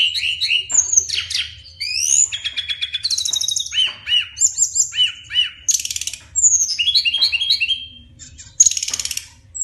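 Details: Brown-chested jungle flycatcher singing a long rolling 'ngeroll' song: a fast, varied run of clear whistled notes, slurred rising and falling phrases and buzzy trills, high-pitched and nearly unbroken for the whole stretch.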